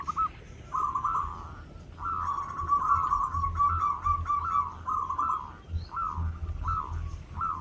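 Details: Strong-voiced local zebra dove, kept to lure others, giving a long continuous rolling coo followed by evenly spaced hooked notes about every half second over low background hum.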